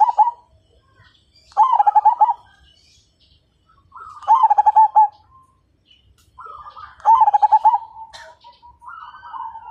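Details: Majapahit zebra dove singing vigorously as a fighter bird that sets others singing; three phrases of gentle introductory coos followed by fast pulsed, resonant coo series, spaced about two and a half seconds apart.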